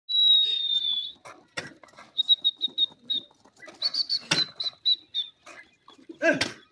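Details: Francolin, called Irani teetar or gora teetar, in breeding season: a long clear whistle at the start, then short whistled notes in quick runs, separated by scattered clicks and thumps.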